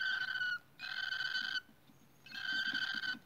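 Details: Nesting cockatiels produce long, even, grating calls lasting under a second each, three of them with short quiet gaps between.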